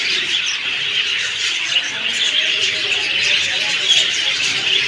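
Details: Dense flock chirping: countless high, squeaky notes blend into a constant shimmering wash, with occasional louder chirps standing out above the steady chatter.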